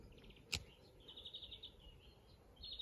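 A European greenfinch gives short bursts of quick, high twittering trills, each lasting about half a second, with one sharp click early on and a low outdoor rumble beneath.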